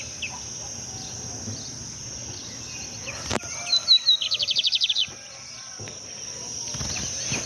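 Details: Lined seedeater singing at a riverbank in Brazil: a single high phrase of a few sharp chips followed by a fast, evenly pulsed trill lasting about a second and a half, over a steady high hiss and faint background calls.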